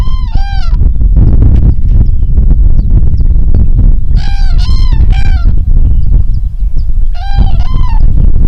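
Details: Cranes calling on an upland plateau: repeated ringing, trumpet-like calls in bursts of two or three, separated by pauses of a few seconds, heard through heavy buffeting wind.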